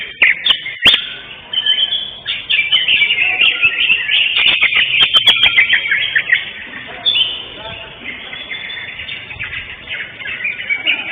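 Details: Greater green leafbird, caged, competing at a singing contest, session 5 of the Kopdar Mahesa Jenar gathering on 11 October 2025, first-place winner; a dense, continuous run of chattering, warbling high notes, overlapped by other singers, with scattered sharp clicks.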